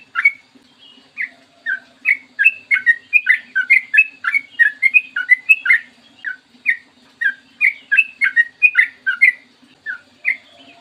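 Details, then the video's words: Clear morning singing of a sooty-headed bulbul, a lure to start other bulbuls singing: a long run of bright, bubbly whistled notes, rising and falling, packed densely over about ten seconds, with a faint low hum. "PANCINGAN TRUCUKAN AGAR BUNYI burung TRUCUKAN GACOR ROPEL PANJANG"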